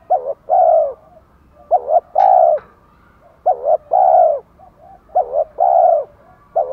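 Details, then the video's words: Spotted doves, female and male, cooing as a lure for newly caught birds. Rapid, regular phrases of clipped notes and a rich drawn coo, roughly every one and a half seconds, with one short click. "Chim cu gáy thúc gù chất giọng gấy ức chế cho bổi rất cao, mở lên bổi gáy liền và dai dẳng"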